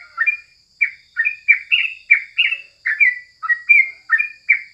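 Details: Yellow-vented bulbul, called crucukan, singing in the morning: rhythmic string of short, bright chirps and slurs, roughly three per second, over a constant high electronic-like whine.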